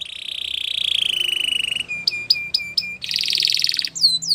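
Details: Singing Belgian canary: a long buzzy rolling trill, then sharp repeated chip notes, another harsh rattle and a pair of falling whistles.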